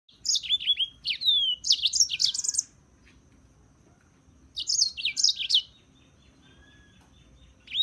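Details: European serin song: two bursts of high, jingling, fizzy notes with rapid descending slurs, each about a second long and separated by quiet pauses.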